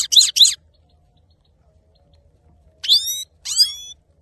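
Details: Singing male saffron finch: a pair of sharp chirps, then after a pause two bright whistled notes that sweep down and level off, with quiet between.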